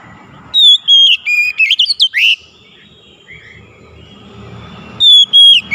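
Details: Kacer, the Oriental magpie-robin, giving gacor song to prompt a silent bird: bright whistled notes and swooping slurs, then a pause with faint background hum, then a fresh burst of piercing whistles.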